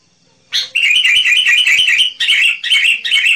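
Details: Singing sooty-headed bulbul (kutilang gacor), used for luring wild birds: silence, then a loud sharp note followed by a steady run of rapid, evenly repeated chirps, broken by a few short pauses near the end.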